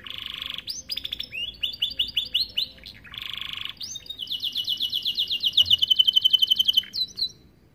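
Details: American Fancy canary, starblue colour, giving a master song for young canaries: buzzy bursts alternating with quick clipped notes, then a long rapid trill of about thirty evenly repeated pulses.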